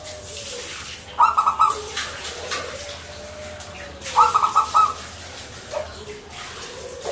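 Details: Zebra dove (perkutut), local Indonesian bird, in manggung song: two brief pulsed trill phrases about three seconds apart over steady background noise and a faint low whistle.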